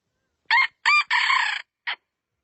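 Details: A rooster crows: two quick hoarse syllables lead into a drawn-out rough, wavering note that stops abruptly. A short separate note follows after a pause, with no other sounds.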